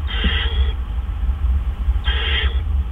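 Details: Owl during a pre-dawn food delivery, 4:03 AM, April 12, 2013. Two raspy, breathy screeches about 1.8 seconds apart rise above a constant deep mechanical hum.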